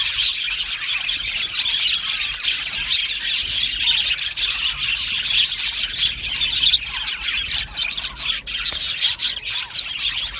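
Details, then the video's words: Aviary colony of happy budgerigars: an unbroken wall of high, scratchy chirps and rapid twitters from many birds at once, with a few louder squeaky notes standing out near the middle. "Happy Budgie birds chirping sounds"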